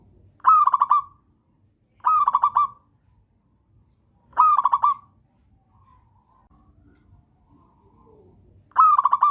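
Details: Local wild zebra dove (perkutut) song, used as a tutor recording to coax other birds into singing. Four loud cooing phrases, each a rapid stutter of pulsed notes ending in a brief drawn-out coo, come about every two seconds with one longer pause.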